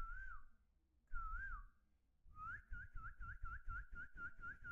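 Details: A pet talking common hill myna gives two wavering whistles, then a quick run of about a dozen short, rising whistled notes, over a low background rumble.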